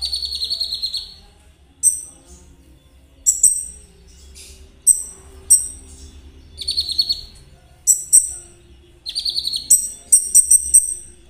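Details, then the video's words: Konin in rapid, energetic song used as a lure for kolibri ninja: very high, metallic, buzzy trills and chattering bursts recur every second or so, with short pauses between them and a low background hum. "Terapi KONIN agar ikut gacor !! Cocok buat pancingan kolibri ninja. suara konin Trotol."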